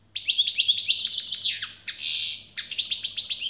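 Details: European goldfinch in full, generous song, starting abruptly with quick chirping trills, then a harsh buzzy rasp, followed by more jangling twitters and slurred whistles over a faint hum.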